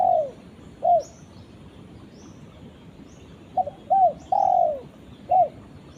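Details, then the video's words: Cooing of a spotted dove calling to its companion: a brief note, a pause, then a phrase of short stuttered coos and a drawn-out downslurred coo. Faint high chirps of other birds sound in the distance. "suara burung tekukur memanggil temannya"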